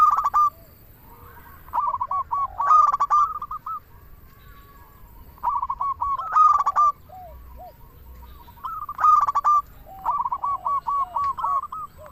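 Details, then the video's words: Local zebra dove (perkutut) song used to lure or stimulate other doves to sing: loud stuttering coo phrases ending in trilled rolling notes, repeated about every three to four seconds, with fainter echoing doves between. "Perkutut lokal gacor suara paling ampuh untuk pancingan burung perkutut agar bunyi"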